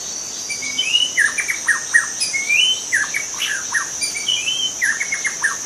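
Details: Forest-dwelling white-rumped shama delivering rich whistled phrases, sweeping up and down, mixed with quick descending chips in clusters, set against a continuous high insect buzz.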